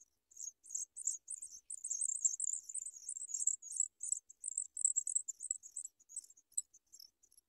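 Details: Sprague's pipit chick trying to swallow food as a parent bird watches; a fast, steady run of very high, thin, scratchy chirps, about three per second, continuing throughout with brief pauses.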